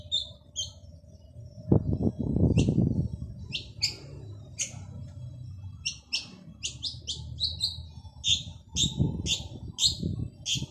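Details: Male long-tailed shrike in lively song. Harsh, squeaky notes repeat quickly and grow denser toward the end. A low thumping noise breaks in around two seconds and again late in the recording.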